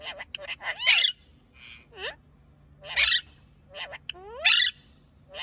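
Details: Pet parakeet, described as happy and talking, giving harsh raspy squawks alternating with rising and falling whistled notes, in bursts about every one to two seconds against a quiet room.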